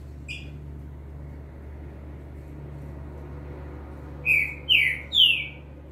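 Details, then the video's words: Novice double-collared seedeater in captivity sings a training song while a green-winged saltator is said to sing nearby. After a short opening note and a long hum-filled pause, three loud, clear slurred whistles follow about half a second apart. "Papacapim Novato Cantando Firme Top Pra Treino de Fibra"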